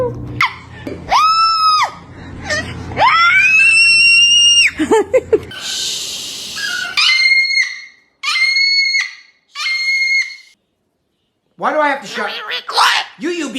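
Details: Noisy pet cockatoo indoors giving loud, drawn-out harmonic screeches, some rising and falling, in bursts separated by short silences, while people talk and laugh nearby.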